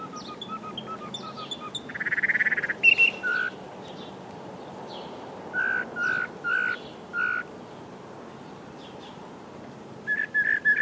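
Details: Northern mockingbird song of varied phrases: soft chips, a buzzy trilled burst, high squeaks, then a repeated lower whistled note four times, and after a pause a repeated rising note. Steady background hiss.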